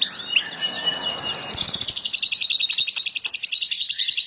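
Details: White-rumped shama singing melodiously, used as a master recording: a few varied high whistles and softer chatter, then a rapid, steady trill of sharp high notes repeated about three to four per second for the rest.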